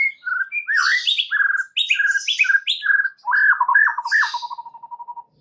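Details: Lure song of a white-rumped shama, meant to provoke other shamas to sing and broaden their song; bright varied whistled phrases delivered rapidly, closing with a dry trill that fades in evenly spaced notes.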